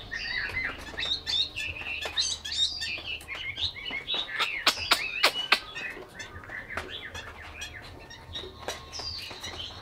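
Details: Chinese hwamei kept as a cage bird in Vietnam pouring out a fast, busy song of sharp chirps, slurred whistles and quick clicking notes in an unbroken stream, over a faint low hum.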